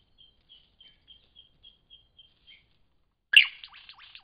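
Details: A lyrebird in Cape Liptrap Coastal Park: about ten soft, evenly spaced whistled pips, then a sudden loud crackling burst followed by chattering, downslurred notes.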